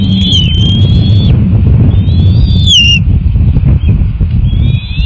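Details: Bald eagle eaglets at their nest while being fed, uttering loud, drawn-out high whistles that slide upward and then fall, three long calls with faint shorter notes, against a heavy, close rumbling noise.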